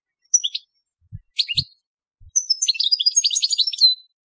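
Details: A European goldfinch sings in the telqam style, opening with a few separate sharp chirps and then breaking into a rapid, tumbling run of high twittering and trilled notes.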